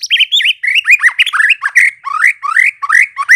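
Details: White-rumped shama song as a lure to get shamas answering and singing: a continuous, varied stream of loud whistled phrases, many rising slurs and quick twisting notes, with little pause between them.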